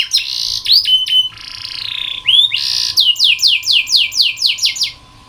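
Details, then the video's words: Canary tutor song for training: whistled rising notes and a buzzy held trill, then a steady series of loud descending sweeps, roughly three each second, over a low hum. "KENARI malas bunyi, Terapi untuk kenari masteran canary"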